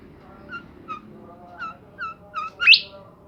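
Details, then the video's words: Bimoli bird singing energetically: a string of short, slurred whistled chirps about every third of a second, ending in a loud, sharply rising sweep, over a low steady hum. "burung Bimoli gacor"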